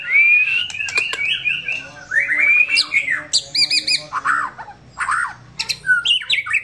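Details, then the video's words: Relaxed song of a white-rumped shama, a rich run of varied whistles, slurred phrases and quick trilled notes in rapid succession, with a few sharp clicks between them. "Murai Batu SH bunyi santai"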